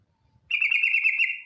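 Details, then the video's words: Female yellow-vented bulbul calling a male, used as a lure: after a near-silent start, one bright, rapid chattering trill of evenly repeated notes holds steady to the end. "TRUCUK BETINA memanggil JANTAN ngetir"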